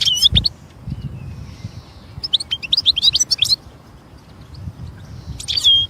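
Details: European goldfinch singing in nature: bursts of high, bright twittering notes with liquid slurred whistles, a brief phrase, a longer run of rapid chirps mid-way, then a closing twitter, over low rumbling background noise.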